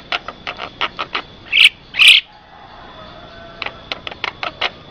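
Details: Javan myna vocalizing, used as a lure and tutor song: quick series of dry ticks, two loud harsh squawks, then more evenly spaced ticking notes.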